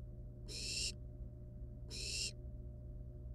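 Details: Nestling barn owls, wild, playing with a living rat in the nest before killing it; two loud hoarse hisses, each about 0.4 seconds, some 1.4 seconds apart, against a low steady hum.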